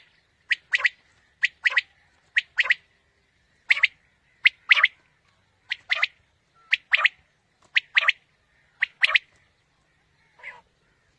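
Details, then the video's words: Quail calls used as a morning hunting lure: a steady series of sharp three-note phrases, a lone note then a quick double, about once a second, ending with a softer, fainter note. "Batair ki new Awazay| Quail Calling 2020 | Batair Ki Awaz suba ki shikar Ki liye|Saaf Batair Ki Awaz"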